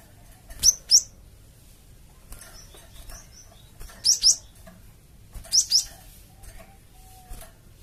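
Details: Java sparrow lure sound used to provoke a flock of untamed birds into replying: three paired, piercing upslurred chirps roughly every one and a half seconds, with soft short whistles in the pauses.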